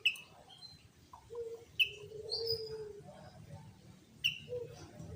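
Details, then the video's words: Sooty-headed bulbul in full song, used as a lure to make other bulbuls sing and to attract birds for trapping: short sharp notes near the top of the range, a higher whistled slur, and lower drawn-out tones repeating irregularly. "Pancingan Burung Kutilang Gacor Full Tembakan"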